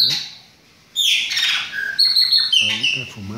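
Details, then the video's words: Chopi blackbirds kept for breeding give loud buzzy and whistled notes after a brief silence, with overlapping chirps and a man talking in Portuguese. "O BARULHO DOS PÁSSARO PRETOS"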